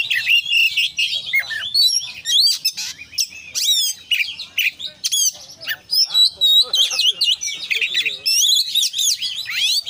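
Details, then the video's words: Energetic konslet song of a kacer, or Oriental magpie-robin, crammed with fill-in phrases: continuous rapid sequence of clicks, sharp chips, whistled slurs and harsh scratchy notes almost without pause. "kacer gacor KONSLET full isian"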